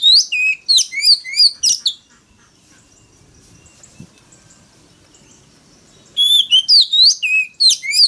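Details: Oriental magpie-robin fighting song used to lure rivals: bursts of sharp whistled and slurred notes at the start and end, separated by several seconds of near silence.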